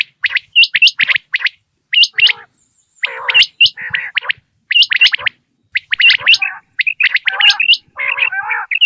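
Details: Common quail calling in the morning, a recording used for quail hunting in Pakistan: sharp, hooked high notes in quick clusters of two or three, mixed with lower buzzy notes, giving dense, overlapping calling with short pauses.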